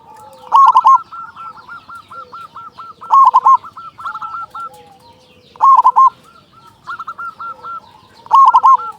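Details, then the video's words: A local zebra dove sings strongly as a lure for other doves: a loud stuttering coo phrase about every two and a half seconds, trailed by long runs of soft evenly spaced rolling notes. "Perkutut lokal gacor suara besar pancingan burung perkutut agar cepat bunyi"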